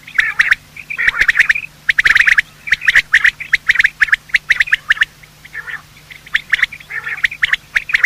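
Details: Morning calling of male and female quail, recorded as a hunting lure: dense runs of sharp, clicky notes in quick clusters, with a low steady hum underneath.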